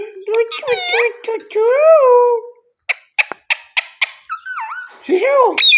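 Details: Pet Indian ring-necked parrot talking: mimicked speech-like syllables with sliding whistled tones, then a quick run of sharp clicks and rising squeaky notes.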